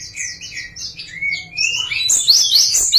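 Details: Java sparrow song variation: rippling high chirps and rising slurred whistles building into a dense, fast chatter of bright clicking and tinkling notes.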